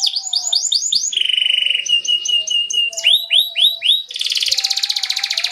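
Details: Atlantic canary lure song in ngerol style: curled sweeping notes in sets of four, a flat rattling trill, more looping notes, then a harsh fast buzz, with faint lower whistled tones in the background.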